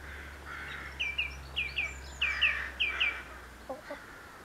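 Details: A song thrush in Perthshire in May 2016 sings bright, clear phrases, each repeated twice in quick succession, over a steady low hum.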